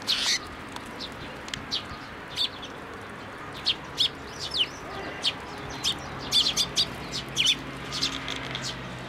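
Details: Juvenile Eurasian tree sparrows flocking to a plum tree at a Tenmangu shrine, 26 May 2024, begging for food; scattered sharp, high chirps repeated irregularly over nine seconds, clustering more thickly in the latter half.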